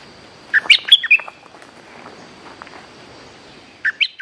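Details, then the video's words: Bulbul singing, recorded as a lure sound: a rapid run of four chirpy, fluty notes rising and falling, quiet murmuring in between, then a second phrase of three bright notes starting near the end. "Suara pikat merbah lekir gacor"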